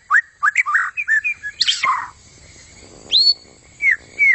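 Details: White-rumped shama with a long tail giving a quick string of varied chattering whistles, then a pause, then three loud, clear whistled notes, some sharply rising and others falling.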